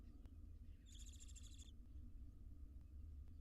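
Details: Wild barn owl family resting at a monitored nest box: one harsh, rasping hiss of under a second, high and breathy, over a steady low hum.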